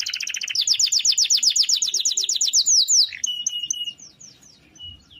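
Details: Gacor canary with a long roll used to tutor other birds: rapid trill of repeated downslurred notes for three seconds, then softer scattered chirps and a thin whistle.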